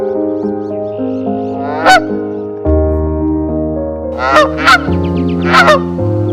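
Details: Canada geese guarding a shoreline nest with first eggs in spring nesting season at Stratford, Ontario: four loud, harsh honks, one single then a close pair and another, over background music with keyboard chords.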